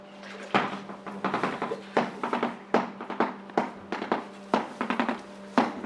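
A shoebill clatters its bill in rapid, rattling bursts of hard clicks, like a machine gun, about one burst a second, over a steady low hum.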